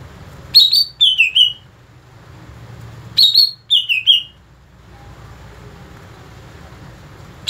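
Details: Greater green leafbird (cucak ijo) in a song-mastering context: two bursts of sharp, high whistled notes that step downward, about three seconds apart, separated by quiet low hum.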